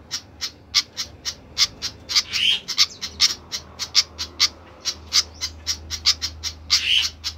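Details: Agitated-sounding flycatcher, locally sikatan, gives steady dry ticks mixed with a couple of longer, rasping squawky notes, over a low background hum.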